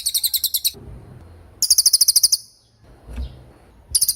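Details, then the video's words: Cililin in tembakan song, intended for schooling murai batu and other songbirds: short bursts of fast, shrill, high notes separated by silent pauses. "MASTERAN TEMBAKAN CILILIN GACOR DOR,SUPER JERNIH & TAJAM"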